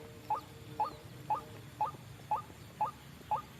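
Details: White-breasted waterhen call used as a trapping lure: short, sharply rising notes repeated steadily about twice a second, each a brief upward flick over a soft background hum.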